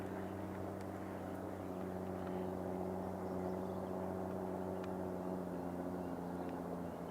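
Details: A steady low engine drone, like a propeller aircraft or motor, fills the recording with no clear animal calls.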